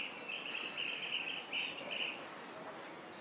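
Chestnut-headed bee-eater giving rolling, trilled high calls in two quick bursts, each under a second, over a steady hiss of background noise.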